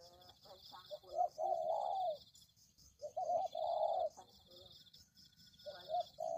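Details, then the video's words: Spotted dove cooing in a bird-luring recording: two long mellow coo phrases separated by quiet gaps, with a third starting at the end and faint high ringing behind. "Pikat Tekukur"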